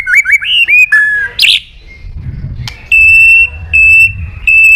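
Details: A white-rumped shama calling a rival with a run of quick whistled slurs and a shrill burst, a short pause, then three long, steady, pure whistled notes.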